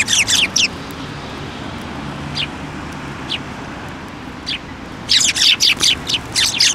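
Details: Several sparrows flying onto a hand to take food at a Tenmangu shrine, 15 December 2023. Bursts of sharp, high chirps open and close the recording, with scattered single chirps between, over a low steady background rumble.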